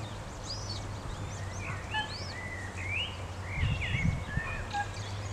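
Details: Eurasian coots (Fulica atra) with young, Alphen aan den Rijn, Netherlands, 19 April 2017: a busy stream of thin, high peeping notes, some rising and some falling, over a steady low rumble.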